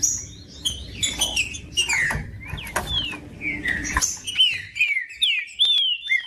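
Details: Green-winged saltator song used to warm up caged birds: whistled notes curving down or rising then falling, amid scratchy chirps and some low background rumble, with clearer phrases toward the end.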